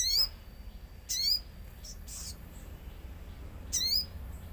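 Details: Common iora singing actively, set among nature sounds: three bright, sharply down-slurred whistled notes with harmonics, spaced about a second or more apart, over a low steady background hum.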